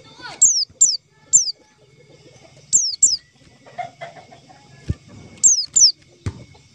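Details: Lure call for catching white-eyes: a run of high, thin whistles, each dropping sharply in pitch, scattered singly and in pairs across the recording, with soft clucks and thumps beneath.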